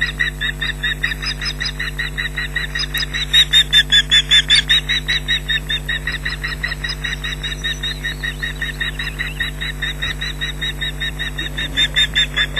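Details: Nesting ospreys at Loch Garten on 19 June 2012, an adult with a chick calling wildly as an intruder approaches: a long run of strident repeated shrieks, about two and a half a second, briefly louder midway, with a steady electrical hum beneath.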